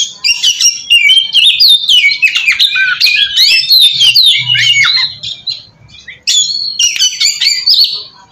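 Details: Oriental magpie-robin song used as a lure for untrained birds: rapid jumbled twitters and chips, a brief soft hum midway, a short pause, then another burst of sharp whistled notes.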